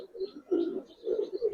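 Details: Brief soft cooing from silver Budapest highflyer pigeons in a loft: low, warbling murmurs rising and falling in three short swells.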